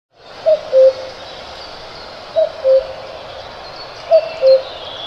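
A cuckoo's mellow two-note 'cu-coo', the second note lower, repeated three times about every two seconds over a faint steady hiss.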